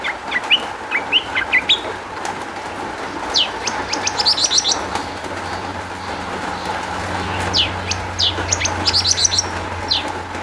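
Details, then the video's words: Long-tailed shrike song meant as a lure to get other shrikes singing: bursts of quick ticking and rising squeaky notes, clustered in fast series with pauses between, over a low steady hum. "kicau cendet gacor MEWAH ISIAN buat PANCINGAN CENDET AGAR BUNYI jadikan BURUNG PENTET NYAUT"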